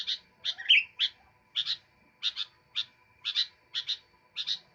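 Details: Sooty-headed bulbul singing continuously, opening with a loud twisting note, then repeating crisp paired chirps at an even pace over a soft hum.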